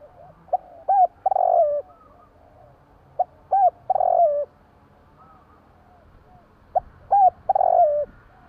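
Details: Javan spotted dove calling at night, repeating the same phrase three times about three seconds apart: quick soft coo notes, then a drawn-out burry coo that slides lower; steady faint hum behind.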